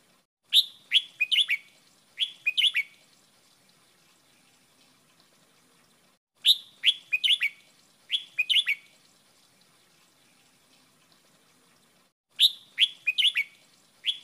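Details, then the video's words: Red-whiskered bulbul, a caged bird giving training song in the "wild song" style, repeats bright, bubbly whistled phrases of four or five notes in paired bursts about every six seconds, with silence between. "เพลงป่า เบิ้ลเบิ้ล เสียงฝึกร้องนกกรงหัวจุก"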